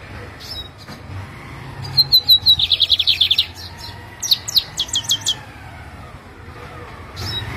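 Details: Lined seedeater from Jataúba, Pernambuco, Brazil, in a cage on a November afternoon before a morning contest. One song begins with a few high whistles and then a fast buzzy trill. A second, shorter burst of sharp notes follows, with faint background hum.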